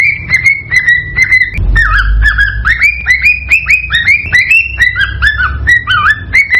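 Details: Breeding-stimulation call of a cockatiel: bright, looping whistles, some sliding down and some sweeping up, repeated in steady sequence with a low hum underneath.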